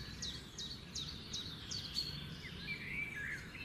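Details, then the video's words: Nightingale song: a quiet run of five sharp, down-slurred whistled notes repeated about every third of a second, then softer warbled phrases over a steady hiss of outdoor background noise. "the sound of the nightingale"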